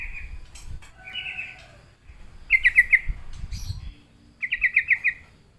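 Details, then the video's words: Sooty-headed bulbul coaxed into singing by a lure: a drawn-out warbled phrase, then two quick rippling trills of five or six notes each, over low rumbling background noise. "sekali di pancing trucukan malas bunyi pasti Nyaut gacor"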